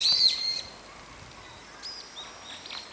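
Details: Brown-eared bulbul, one of several birds calling in daytime with about four call types: a loud shrill whistled note opens the clip, followed by fainter scattered high chirps.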